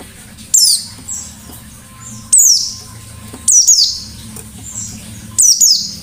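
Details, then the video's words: White-eye giving 'ngalas' style song with 'nembak' bursts: brief, piercing, downslurred twitters repeated roughly every one and a half to two seconds, with quieter notes between and a soft low hum. "Burung Pleci Gacor Ngalas Nembak"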